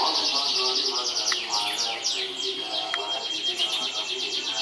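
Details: A 2014 champion canary sings fast descending buzzy trills repeated in quick series, mixed with sharp chirps and a steady high whistled tone, the song flowing without pause.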